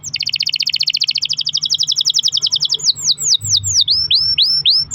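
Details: Canary's long rolled song, used to lure other canaries into singing: a rapid pulsed roll lasting nearly three seconds, then loud downward-sweeping whistles repeated several times a second.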